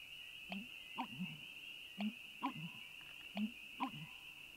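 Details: Bittern giving its 'onk-a-chonk' or 'gulping water' call: deep, hollow gulping notes in three-part phrases, each repeated about every one and a half seconds, over a steady high insect-like drone.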